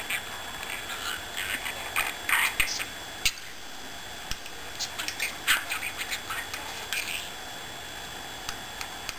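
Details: Pet budgerigar appearing to argue with its owner's toe, chattering in quick, scratchy chirps and squawks, with short bursts and pauses.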